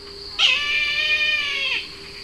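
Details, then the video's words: Brahminy kite call: a single drawn-out, nasal mewing scream of about one and a half seconds that drops slightly at the end, over a steady background hum. "Brahminy Kite Bird Call"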